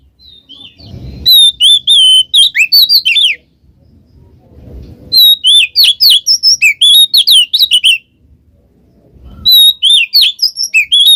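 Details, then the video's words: Ngeplong ngekek song from a white-rumped shama, meant to trigger singing in a quiet bird: three bursts of rapid, loud whistled and twisting notes, separated by pauses with low rumbling background noise. "suara burung Kacer NGEPLONG ngekek cocok buat pancingan Kacer males bunyi"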